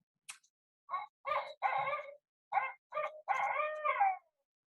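Barred Owl gives a loud, rich run of hoarse hoots in uneven groups, ending in a long drawn-out note that slides down. A brief high chirp comes first.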